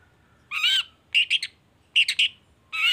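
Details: Long-tailed shrike (cendet baham) song played to prompt other shrikes to join in: drawn-out, nasal, squealing notes alternating with pairs and triplets of quick clipped chips.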